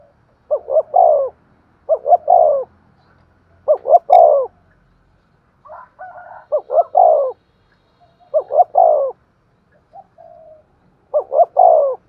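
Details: Decoy spotted dove giving the sharp, clear thúc gù coo: mellow multi-note phrases, two quick rising notes then a drawn, falling coo, repeated about every two to three seconds in a quiet setting.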